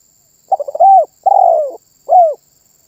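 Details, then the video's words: One full song phrase from a spotted dove in lively voice: quick stammering notes building into a rising coo, a drawn-out descending coo, and a brief closing coo, over a thin constant high-pitched tone. "SUARA BURUNG TERKUKUR MANGGUNG GACOR MEMBUAT BURUNG LAIN IKUTAN BUNYI"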